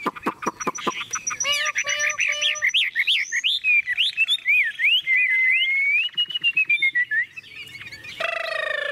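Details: Tame Chinese hwamei kept in a cage, singing strongly: sharp clicks, then loud looping whistles rising and falling, a long smooth glide, and a harsh burst at the end.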